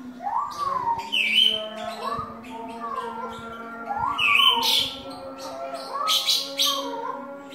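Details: Cucak timur, an Indonesian endemic bird, singing its unusual ngeropel song: smooth rising-and-falling whistled slurs mixed with higher chirpy notes and brief harsh bursts, over a steady low hum.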